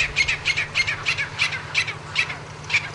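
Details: Wild grey francolin calling for a female, giving harsh, squawking notes about every third of a second in a steady scratchy series, with a faint low hum underneath.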